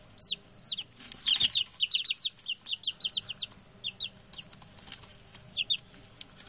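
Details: Six chatty male chicks, newly arrived: a lively run of high thin peeps, a dense burst around the middle then evenly spaced falling cheeps, with a brief loud rustle.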